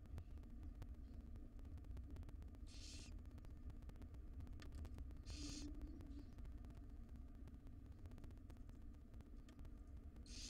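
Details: Female barn owl feeding tiny chicks inside a wild nest box; three short, scattered hissing rasps at irregular intervals, the last cut off at the end, beneath a dominant low droning hum.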